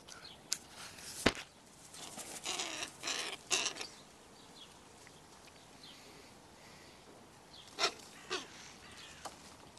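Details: Young crows, many of this year's late-hatched offspring gathered together by a zoo window, squabbling and quarrelling. Harsh, broad, rasping caws come in bursts, clustered early and again near the end, with quieter scratchy sounds in between.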